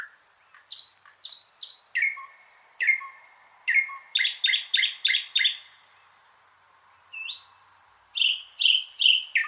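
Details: Loud, varied thrush nightingale song: repeated rising whistles, then a sustained pure tone with clicks, a dense rattling burst of rapid strokes, a pause, and further sharp whistled phrases. Clean recording with little background.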